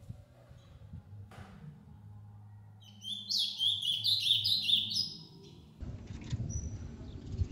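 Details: Ultramarine grosbeak, captive, from a recording of an adult and its six-month-old son (which bird sings is unclear), sings a quick, high, sweet warbled phrase of tumbling notes lasting about three seconds, over a low background hum and rustling.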